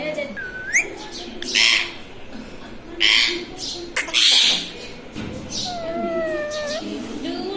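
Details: Pet ring-necked parrot kept indoors as a talking bird, uttering a rising whistle, bursts of harsh raspy squawks and chattering speech-like syllables, then drawn-out wavering whistled tones at the end.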